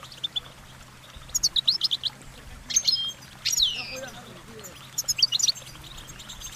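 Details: Goldfinch song with quick high chirps, a loud sweeping slurred note, and further twittering phrases, a faint low hum underneath.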